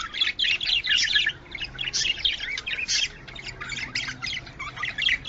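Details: Budgerigar calls used to stimulate breeding, with harsh squawky bursts and chirps in choppy groups, loud at first, then a somewhat quieter stretch of steady chatter.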